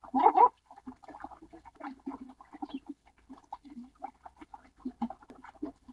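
Baikal teal: one loud, harsh squawk opens, then a steady run of short, low, clucking notes, like several birds chattering together.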